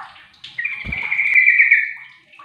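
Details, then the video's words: Yellow-vented bulbul (trucuk receh) calling another bulbul, which answers: one drawn-out, slightly wavering whistled note lasting over a second, preceded by a soft dull thump. "Trucuk receh memanggil trucuk lain jadi saut sautan"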